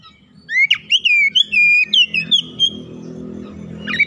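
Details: Untrained oriental magpie-robin in loud song, showing its repertoire: rich whistled notes sliding down and up, then a long level whistle, over a steady low droning hum that grows near the end.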